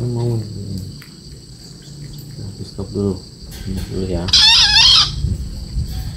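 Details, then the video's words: Young green junglefowl, four months old, gives a single hoarse, harsh crow lasting under a second, with low murmuring sounds earlier and a steady high electrical whine throughout. "kokok ayam hutan Hijau 4 bulan"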